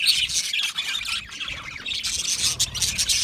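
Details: Budgerigars producing a continuous wash of harsh, scratchy chirps and squawks with no real pause, a few sharper notes breaking through.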